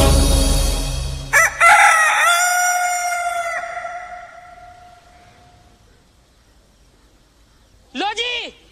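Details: Desi rooster in a crowing contest gives one long, harsh, drawn-out crow of about four seconds that trails away, then a short sharp call; a low rumble and murmuring open it.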